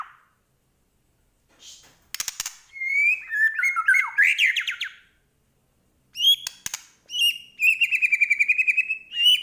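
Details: Medan white-rumped shama in vigorous, varied song: a sharp click burst, then rising and falling whistled phrases, a pause, and a fast string of repeated pure whistles and chips, with silent gaps between bursts.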